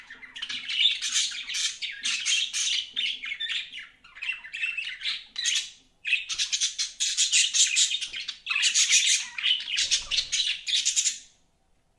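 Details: Budgies chirping in long runs of scratchy, buzzy chatter and squawky warbles, pausing briefly around the middle and falling silent at the end.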